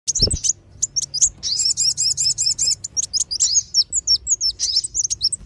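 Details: Lure call of two sunbirds, the kolibri wulung and sogon, used to draw wild birds down: dense, high-pitched twittering of rapid, sharp chirps and short slurred whistles, with a quick buzzy trill and one low thump at the start.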